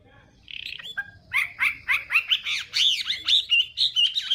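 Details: Chinese hwamei singing at morning voice training: a soft opening trill, then a loud run of arching, swooping whistled notes about twice a second, over a faint background rumble.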